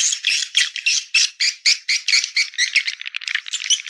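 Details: Swiftlet-house lure of edible-nest swiftlet, clop tanjung style: short loud chirping notes in quick succession, about four per second, shrill and slightly buzzy, speeding into a tighter chatter near the end.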